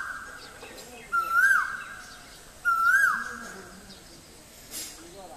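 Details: A male Asian koel at Guwahati, Assam, India, gives two loud, clear whistled notes about one and a half seconds apart, each rising then dropping away, over a quiet background.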